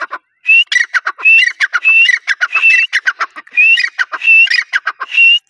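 A grey francolin calls in a loud, ringing series: harsh clicking notes mixed with shrill whistled phrases, repeated rapidly and insistently over several seconds.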